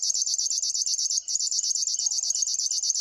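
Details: Rhythmic high buzzing from a river warbler: dry, sewing-machine-like pulses at roughly ten per second, continuous apart from a brief dip in the middle.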